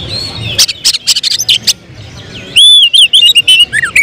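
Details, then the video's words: Caged oriental magpie-robin, a contest prospect, giving a series of sharp clicking bursts and then a loud clear burst of looping, slurred whistles in its last second and a half. "Emosi berubah menjadi tembakan di menit menit genting, Kacer bakalan prospek lomba"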